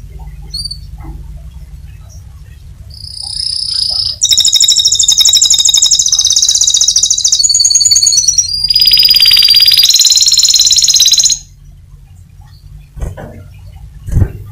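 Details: Canary (Serinus canaria) in full, intense song: high, rapid rolling trills and buzzy runs for about seven seconds, with a few short chirps before and after over a faint low hum.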